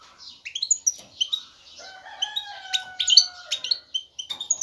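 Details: Male European goldfinch ready to breed, calling a female to pair and build a nest: rapid liquid twittering and buzzy chirps, with a long steady lower whistled tone running through the middle.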